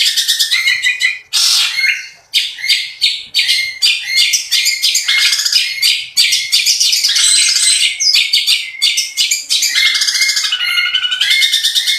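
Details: Long-tailed shrike in fast 'roll speed' song: a nonstop barrage of harsh, buzzy high notes at roughly three per second, rapid scratchy rolls interwoven with brief whistled elements, loud and sustained throughout.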